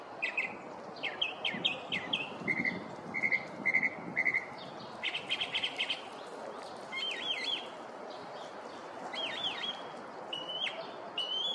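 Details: Neighborhood Northern mockingbird running through its mimicry repertoire on a morning: sets of repeated clear notes, several evenly spaced triplets, then down-slurred whistles, with steady background hum.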